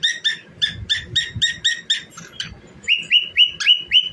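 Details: Pet cockatiel singing while dancing: a fast run of short, clear chirped whistles repeated about four per second, then a break and a series of slightly lower, longer whistled notes with faint room noise underneath.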